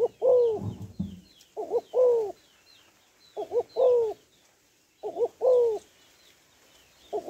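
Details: Spotted dove hen calling to stimulate males, repeating low coo phrases of a doubled short note and a longer falling coo; distant high chirping birds and a brief low rumble at the start.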